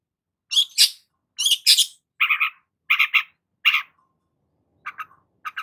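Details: Energetic Long-tailed shrike song used to stimulate stressed shrikes: scratchy high chatters give way to lower, nasal, buzzy doubled notes, then a pause and faint quieter chips near the end.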